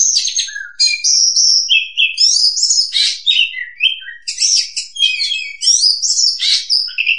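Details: Oriental magpie-robin lure song for trapping: a continuous varied stream of high whistles, quick slurred notes, buzzy chatters and rising sweeps with hardly a pause and no other sounds.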